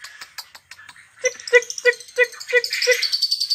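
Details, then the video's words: Lovebird song in the koek koek ngetik ngetik style, used to stimulate other lovebirds to sing. Scattered high chirps lead into six even, clipped notes about a third of a second apart, then a buzzy, rattling chatter. "suara love bird koek koek ngetik ngetik cocok untuk merangsang love bird bunyi"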